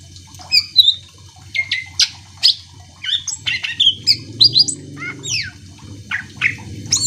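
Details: Greater green leafbird in lively song, played to prompt other leafbirds to answer: high whistled slurs and sharp upswept chips in quick succession over a low steady hum.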